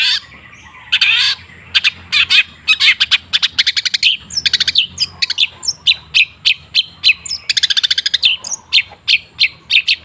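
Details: Long-tailed shrike, known locally as cendet, in a lure recording meant to keep birds singing. A long, varied outpouring of rapid sharp chips, rattling runs and scratchy notes, nearly continuous for ten seconds.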